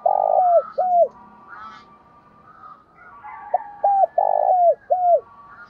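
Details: Spotted dove decoy giving provoking calls meant to draw rivals, 'giọng thổ' style. A loud long croo and a falling coo, a quiet gap with faint bird chirps, then a fuller phrase of short notes, a drawn-out croo and a falling coo.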